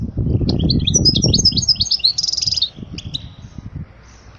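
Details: Teaching song of the European goldfinch for young birds: fast, high tinkling chirps and a buzzy trill over heavy low rumbling noise, fading into scattered notes.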